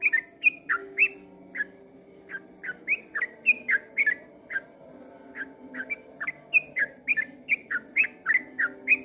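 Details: Sooty-headed bulbul singing a long dawn song: bubbly whistled phrases of quick rising and falling notes, delivered in rapid runs with short pauses, over a soft low background murmur.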